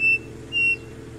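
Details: Striped cuckoo at Sumaria Trace on 9 October 2017 giving two clear whistled notes half a second apart, the second slightly higher, over a faint low background hum.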